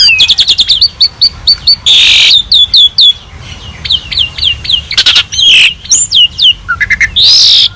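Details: Asian pied starling (jalak suren) in full rich song, a master recording for training other birds: fast series of hooked whistled notes, harsh buzzy bursts, sliding whistles and squawks across nearly eight seconds.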